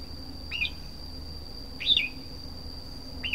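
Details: Three separate short whistled notes from a red-whiskered bulbul, each a quick rising-then-falling slur about 1.3 seconds apart, with a constant thin electrical tone in the background.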